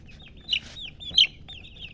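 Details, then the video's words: Chicks of a hen chirping: a few drawn-out high peeps that waver and fall, with two louder sharp cheeps, against quiet background hum. "silly chicken chirping sounds with murgi hen color chicken"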